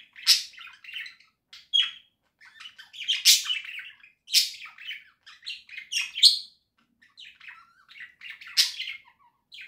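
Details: Home-kept budgerigars singing, October 2024: nearly ten seconds of continuous scratchy warbling, with squeaks, clicks and harsh buzzy bursts in irregular phrases and no other sounds.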